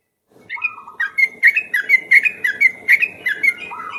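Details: Ropel lure song of a yellow-vented bulbul made of a steady series of bright whistled notes at an even pace, opening and closing with lower slurred whistles.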